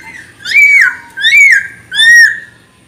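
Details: Lively Chinese hwamei singing to rouse other birds: three loud, rich whistled notes, each swelling then sliding downward, spaced about seven tenths of a second apart.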